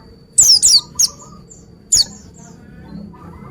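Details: Oriental white-eye, called pleci, delivering a fast run of three sharp, high descending whistled sweeps, then a single matching sweep after a brief gap, against near silence.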